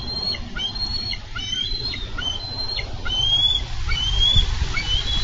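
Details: Bald eagles on a Minnesota nest cam, 4 July 2013, struggling over a carp. Faint high whistled notes, some falling and some rising, come at irregular intervals over steady low wind rumble.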